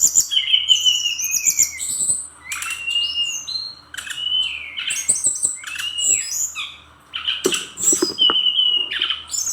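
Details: Brown-chested jungle flycatcher of the Bali type, singing actively and rapidly firing learned filler phrases. A varied run of high whistled slurs, rising and falling notes, and chattery bursts, with short pauses between phrases and sharp clicks underneath.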